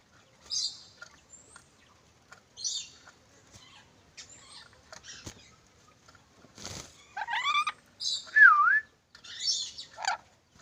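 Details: Black-capped lory making scattered short chirps and squeaks, then a run of louder varied calls including a wavering whistled note and harsh screeches toward the end.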